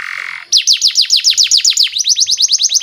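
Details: Canary song used as a lure to train young canaries: a short steady buzzy tone, then a fast train of loud descending whistled notes repeated about eight times a second.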